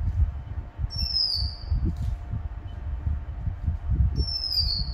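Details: Red-whiskered bulbul, still wild-natured and not yet settled on pellet feed, giving continuous whistles: two clear, high, gently falling whistled notes about three seconds apart, with a constant low-pitched rumbling background.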